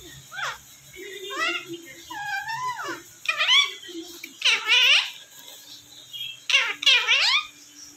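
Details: Pet Indian ringneck parrot indoors, a talker that says 'Kiwi cute' and 'I love you'; about six shrill, harmonic-rich word-like bursts, rising and falling in pitch, some scratchy and quick, others drawn out, over a faint steady hum.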